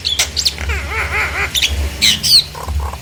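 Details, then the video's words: Nias hill myna, played as a lure to provoke silent mynas into singing: harsh squawks and sharp high notes mixed with a burst of wavering, rippling mid-pitched notes, then more clipped high whistles. "Pancingan jalak nias agar jalak yang diam langsung esmosi dan ikut bunyi"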